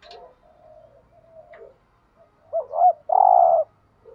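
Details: Spotted dove cooing in thúc gù style to provoke other doves. Soft murmured notes lead into one loud phrase near the end: a short doubled hoot, then a long, even, low coo.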